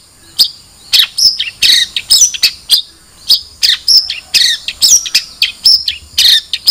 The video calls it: Suara Burung Cendet